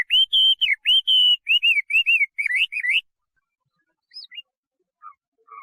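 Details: Chinese hwamei delivering loud, clear whistled phrases for about three seconds, a string of looping, rolling notes repeated several times, followed by near silence with a few faint distant notes.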